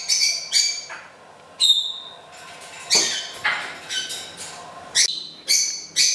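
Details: Pet parrot singing happy birthday to its owner on her birthday; sharp, high, harmonic bursts repeated about every half second to second, some descending, with brief spoken words nearby.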